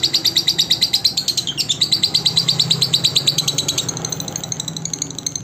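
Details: Lovebird song used as a training recording for other lovebirds: a long run of rapid, rhythmic, high chattering notes, bright and buzzy, with a brief downward sweep midway and a steady pulse throughout.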